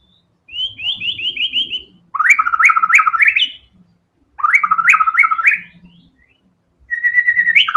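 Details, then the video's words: White-rumped shama (murai batu) singing prolifically in the fast 'tembakan' style, showing off its varied fills. A quick run of six short high notes leads into loud bursts of rapidly alternating whistled notes, separated by brief pauses. Faint low knocks sound underneath. "TEMBAKAN MURAI BATU GACOR BONGKAR SEMUA ISIAN FULL FIGHTER"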